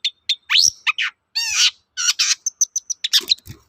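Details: Energetic long-tailed shrike song played as a lure for other shrikes to answer: a varied mix of whistled slurs, harsh rasping bursts and quick high chips in rapid succession.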